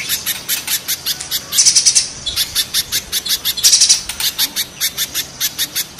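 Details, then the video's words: Spiderhunter, mountain spiderhunter against banana spiderhunter: steady loud, thin chipping notes with two short, dense buzzing rattles about two seconds apart. "Raja kasarnya kolibri pijantung gunung vs pijantung pisang"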